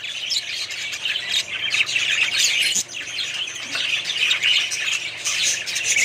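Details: A colony of budgerigars chatters together in a dense, continuous mix of squawks, chirps and warbling.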